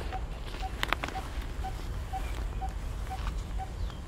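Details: A coppersmith barbet in Punggol Seventeenth Avenue, Singapore, gives hollow single tonk notes about twice a second over a constant low roar of traffic-like noise, with a few faint clicks and chirps.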